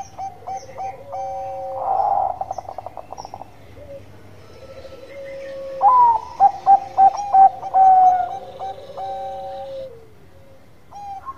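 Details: Bangkok-type zebra dove (perkutut) in full gacor manggung song. Two phrases of soft, ringing coos: a rolling trill then a string of quick staccato notes, with the second phrase starting with sharper, louder pulses and ending in drawn-out lower tones.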